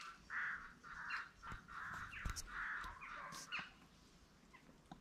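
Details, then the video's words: Farm peafowl, green and Spalding peacocks, give a series of loud, harsh, harmonic calls in quick succession during the first three seconds, with clicks and knocks, then quieter background. "Peacoks farm, green & spalding"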